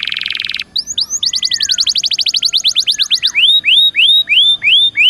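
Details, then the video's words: Canary singing, played to coax caged canaries into song. A harsh buzzy burst opens into a rapid rattling trill of tight repeated notes. It ends in a series of spaced, rising then falling whistled phrases. "Suara Burung Kenari Gacor Dor Nembak Untuk Pancingan"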